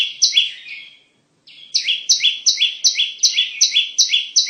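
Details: Bar-winged prinia song used as a bird-trapping lure and tutor recording: a few chirps, a brief silence, then a steady, rapid sequence of sharp, high, descending double notes.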